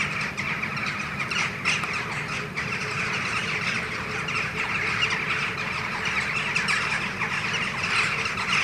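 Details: Hundreds of Western jackdaws arriving in the morning from their roosts at Ringenberg Castle, flying around an early rainbow; a dense, continuous chorus of overlapping sharp, chattering calls, with low rumbling noise underneath.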